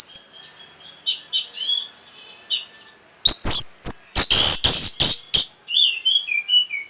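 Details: Orange-headed thrush song for stimulating breeding readiness and response: quiet varied twitters and short whistles, then a loud stretch of harsh high notes, ending with descending whistled phrases.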